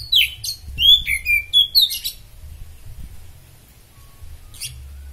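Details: Oriental magpie-robin, kept superfit and used as a singing model for other birds, gives a rapid burst of descending whistles and chattering notes for two seconds, then near silence with one faint chip.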